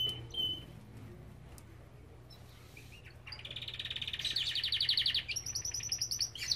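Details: Belgian canary in an aviary: near quiet with scattered faint chips, then a rising, rapidly pulsed trill that grows louder and shifts into higher rattling phrases. Low hum throughout.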